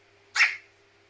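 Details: Captive carrion crow sneezing after getting water in its nose: one short, explosive, hissy burst, clearly the main sound, in a quiet indoor room with a faint steady hum.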